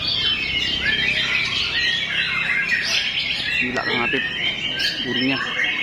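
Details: White-rumped shama delivering continuous full song of mixed whistles and harsh chattering notes, with a few brief lower sounds near the end.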